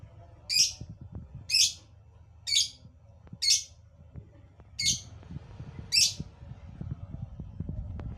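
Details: Shrill, rasping lovebird chirps, six of them at roughly one-second intervals, loud and piercing over faint background clatter and hum.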